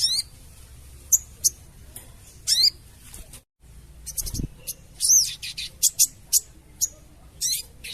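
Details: Chattering calls of a sooty-headed bulbul, known as sogon, used to lure birds to traps: high sharp ticks and harsh descending bursts, a brief silent gap and thump, then busier chirps and ticks.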